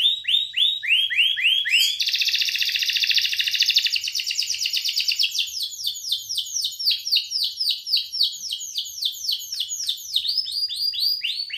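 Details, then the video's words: Belgian canary singing, song used to stimulate females: a run of rising slurred notes, then a loud fast buzzing trill lasting about two seconds, followed by quicker repeated rolling phrases with high overtones. "Canto Para Esquentar Canário Belga e Foguear as Fêmeas"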